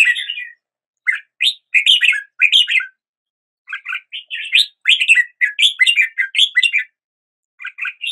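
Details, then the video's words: Red-whiskered bulbul song, a series of lively chirpy phrases of rising and falling notes separated by brief silences, the longest run of quick notes in the second half; no other noise. "Red whiskered Bulbul Song"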